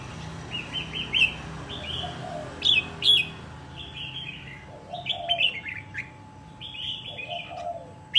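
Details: A wild-caught red-whiskered bulbul, kept for a year and now fit for singing competition, sings short, bright, warbled phrases every second or two, with lower mellow notes between them and a faint steady hum behind.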